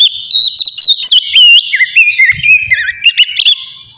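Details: Oriental magpie-robin singing in the relaxed ngeplong style, used to stir emotion and breeding drive: rich run of clear whistled notes, sliding up and down, with quick chirps and a brief buzzy passage near the end.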